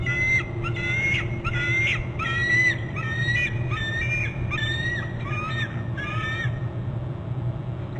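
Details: Bald eagles calling at a nest on Hornby Island, a resident bird and an intruding eagle both calling before the intruder is pushed off the nest: a series of high, thin, squeaky chattering notes that fall slightly, over a steady low rumble.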